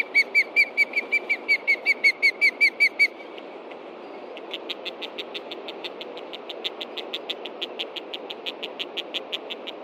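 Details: Adult osprey pair at a Montana nest (Hellgate Osprey Project), 30 June 2013, late morning, alerting to a threat from below with chicks in the nest: about a dozen loud, clear whistled cheeps in three seconds, then faint rapid high pulses.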